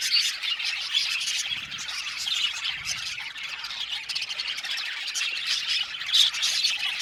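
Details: Budgies chirping in an aviary colony: a busy, high, twittering chorus of short overlapping notes, with a few clearer whistled chirps standing out near the start and end.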